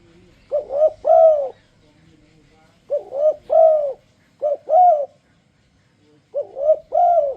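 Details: Spotted dove song played to induce other doves to sing along: four hollow three-part coo phrases, each closing on a longer falling note, spaced by short silences.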